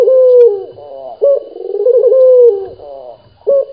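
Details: Frequently calling local dove. A smooth falling coo leads into a rolling, warbled phrase and another long descending tone. A new sharp note begins near the end over a faint steady hum.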